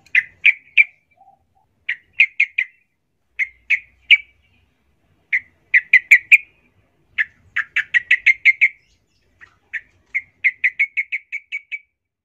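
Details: Lively yellow-vented bulbul song: repeated short groups of two to four bubbly, chortling notes, building into longer rapid runs of up to eight notes, with brief pauses between phrases and no other sounds.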